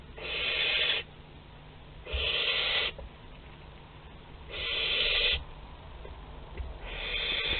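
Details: Barn owl youngster visiting the parents' food store, Théding, France, 10 July 2021, repeats a harsh hissing screech four times, each lasting under a second, about every two and a half seconds.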